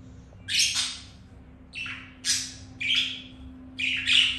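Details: Mating budgerigars at home; a series of raspy, broadband squawks and chirps, about five bursts, some doubled, over a steady low hum.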